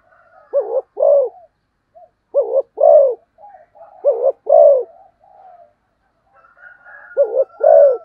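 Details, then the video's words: Spotted dove giving fast cooing in the style known locally as thúc gù tốc độ: low, mellow two-part coos, a short hooked note then a longer rounded one, repeated in pairs about every two seconds, with faint thin whistles from other birds behind. "cu gáy thúc gù tốc độ"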